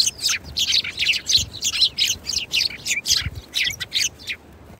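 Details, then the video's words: Sparrows chirping in a quick run of short, sharp, high notes, about three per second, each a brief bright chip; low thumps in the background. "MY EYE IS ON THE SPARROWS"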